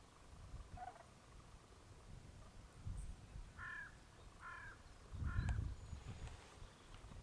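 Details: Common cranes (Grus grus) at Strabrecht, Netherlands, on 3 March 2012 give distant trumpeting, bugled calls, about four short notes spaced under a second apart, over a heavy low rumble of wind.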